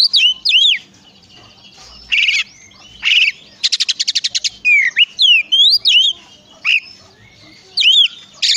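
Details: Song of an Oriental magpie-robin used to encourage other magpie-robins to sing: twisting whistled phrases, a few harsh bursts and one fast rattling trill, with pauses throughout.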